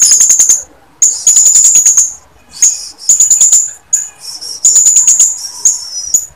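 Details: Female blue-crowned hanging parrot calling to a male, giving shrill, very high, hissing notes in rapid chattering bursts of about a second, separated by brief pauses.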